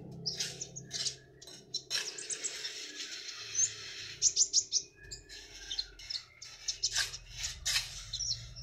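A sunbird sings a fast, high, thin twittering of sharp chirps and trills, nearly unbroken for the whole stretch, over a faint low hum.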